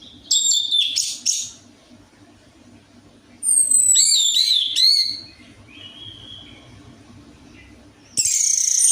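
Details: Orange-headed thrush lure song to encourage a reluctant bird to sing. Rapid bursts of ringing whistles and warbled, wavering phrases are separated by gaps with a quieter drawn-out whistle, all over a faint low hum.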